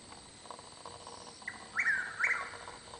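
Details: A Chuck-will's-widow (Caprimulgus carolinensis), unseen near a garage floodlight, gives one full song phrase: a soft clipped note, then two rolling whistled notes, over a steady high insect hum.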